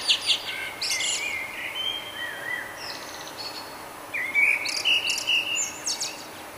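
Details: A nightingale's morning song in Budapest, Hungary, in May: rich, varied phrases of high chirps and trills, then a rising whistle, repeated after a short pause. A faint hiss sits behind it.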